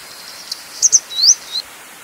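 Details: High, thin calls of a grey wagtail (Motacilla cinerea): a faint tick, two quick sharp chips, and a rising whistled slur trailing into a short note, with low constant hiss behind.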